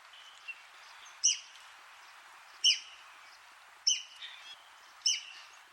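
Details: Red-cockaded woodpecker, a threatened bird of southeastern United States pine forests, giving sharp, high-pitched single calls about every 1.3 seconds, each a short clipped note, over a faint hiss.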